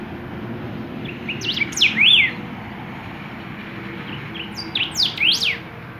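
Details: Golden-billed saltators singing: two bursts of clear whistled notes, sweeping up and down like chevrons, the second burst about three seconds after the first, over a low background hum.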